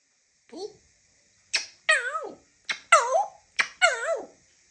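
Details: African grey parrot talking indoors: short speech-like phrases with wavering, bending tones, a brief low syllable followed by three pairs of sharp onsets and longer warbling sounds, about four seconds in all, quiet room.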